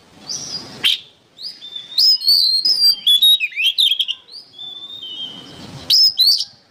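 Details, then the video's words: Oriental magpie-robin song as training material for songbirds, with clear high whistles, quick descending slurs and chattering notes, pausing before a final sharp whistled burst; faint hiss underneath. "MASTERAN BURUNG KACER GACOR"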